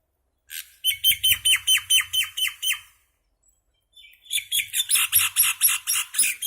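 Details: Little common myna making noise: two bursts of harsh, rasping, rapidly repeated notes, about nine in each, separated by a silent pause of over a second.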